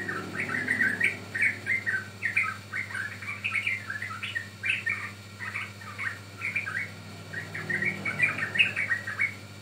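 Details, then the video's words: Sooty-headed bulbul song played to lure birds and train them: a continuous run of quick chirpy, slurred phrases with brief gaps, over a faint constant low hum. "Pancingan Ampuh Burung Trucukan Paud"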